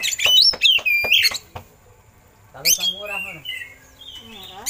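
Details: Oriental magpie-robin singing with mimicked eagle calls, a master recording for tutoring other birds: loud rising and falling whistled slurs in rapid succession, a pause, then a rich descending burst and softer drawn-out whistles.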